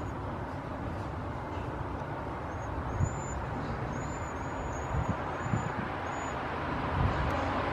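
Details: Migratory cedar waxwings, which seek water and berries, give thin, very high, hissing whistles over a steady rumble of road traffic.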